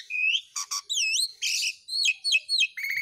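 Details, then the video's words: Asian pied starling in full, continuous song, used as a training recording for pet birds: a rapid medley of clear whistled slurs, rising and falling loops, and harsh buzzy notes, about eight phrases in three seconds. "JALAK SUREN GACOR"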